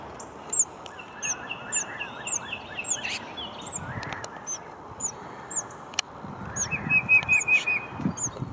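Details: Tufted titmouse calling in forest along a hiking trail: quick runs of clear, mid-pitched whistled notes, with thin, high, downslurred notes repeating above them over a soft forest hush.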